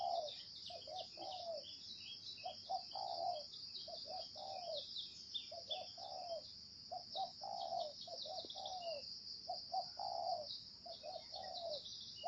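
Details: Spotted dove calling repeatedly in the 'gáy gù' style: phrases of short low coos ending in a slurred, falling longer note recur every two to three seconds, with a continuous high-pitched whine in the background.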